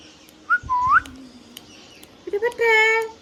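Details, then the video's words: Pet Indian green parrot, hand tame, uttering a rising whistle, a swooping note, then a sustained rich harmonic syllable like a spoken word. "Green Parrot Natural Sound | Hand tame Parrot Talking video | Mithu Tote Ki Awaaz | Talking Parrot"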